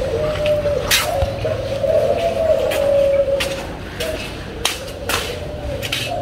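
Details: Breeding pair of spotted doves, parents numbered 11 and 04, calling in the morning: low, steady, drawn-out coos over a constant low rumble, with sharp clicks and knocks throughout.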